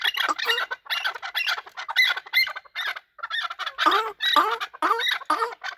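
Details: Fighting chukar partridge, a hunter chakor, giving loud, harsh squawking calls in uneven bursts with some downslurred notes, with short pauses between phrases.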